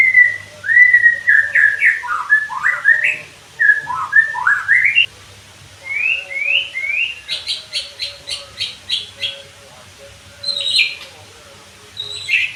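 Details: White-rumped shama song used as therapy audio to get birds singing readily and in rapid 'nembak' bursts: varied rising whistled slurs in quick succession, then a fast series of sharp, high, buzzy notes, and a few scattered chips, over a steady low hum.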